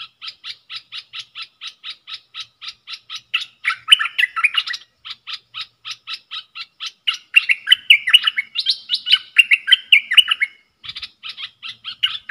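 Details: Bulbul kept in a cage, singing its dok taeng style against wild birds, 3 October 2021: long trains of rapid, evenly spaced chips broken by two bursts of tumbling, fluty warbles.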